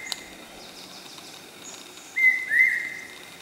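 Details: Common hawk-cuckoo (brainfever bird) at Okhrey, West Sikkim, giving two loud, shrill whistled notes that slur upward, over a steady background hiss with faint high chirps of other birds.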